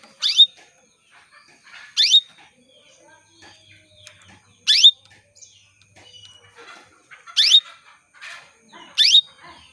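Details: Female canary calling to males as a lure to set them singing: six loud, upward-sweeping buzzy calls at uneven intervals of about two seconds, with soft scattered chirps between them.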